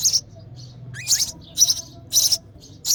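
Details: Baby sparrow chirping for its mother at feeding time in the nest: rapid harsh high chirps about every half second, one with a short rising whistle before it.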